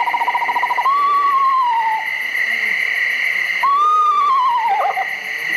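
Eastern Screech-Owl giving two mournful, quavering whistled wails that fall in pitch, each about a second long, over a steady high hum.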